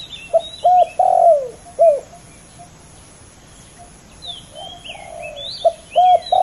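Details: Competing male spotted doves: a series of short clipped coos and a longer sinking coo, a pause filled with distant twittering birds, then the coos start again.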